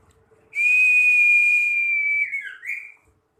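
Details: Common iora, a young bird tested to make it brave in fighting, holds one pure whistled note steadily for nearly two seconds, ending in a brief slurred downturn and short upward flick, in a quiet setting.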